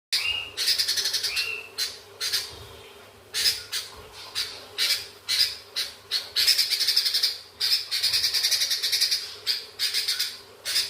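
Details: Sooty-headed bulbul singing a long chattering 'ngekek' song with church-style fill-in; fast bursts of harsh high chatter repeated through the recording, interspersed with short whistled notes, over a steady low hum.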